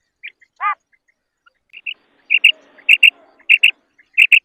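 A female common quail gives short, high paired clicks in quick doublets, about every half second, after a few scattered soft chirps and one nasal note.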